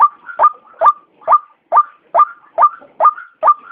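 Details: Lure recording of a white-breasted waterhen, used for trapping birds: rhythmic rasping croaks repeating at an even pace of about two per second, with faint softer notes between them and a quiet background.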